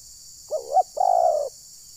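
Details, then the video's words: Spotted dove (terkukur) decoy at a trapping site in Ujung Batu, Rokan Hulu, Indonesia, whose call makes wild birds aggressive; a wavering two-part opening note leads into a long, steady, slightly falling coo. "Pukul Pikat, Burung Liar Terlalu Emosi Dengar Bunyi Pikat ini."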